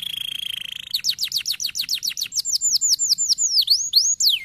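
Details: Canary song to encourage silent canaries: a thin sustained whistled tone for nearly a second, then a rapid series of sharp descending notes that slows into fuller, swooping downslurs.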